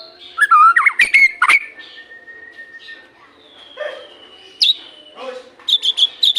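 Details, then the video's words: White-rumped shama, played as a morning and evening lure for other shamas, giving a few loud slurred whistles, then a long steady tone, quieter pauses and clipped high notes at the end. "Pancingan murai batu untuk pagi dan sore hari"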